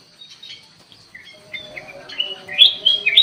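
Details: Black-crested bulbul in an aviary starting quietly with thin scattered notes, then breaking into louder bubbling whistled phrases toward the end, with a faint low hum underneath.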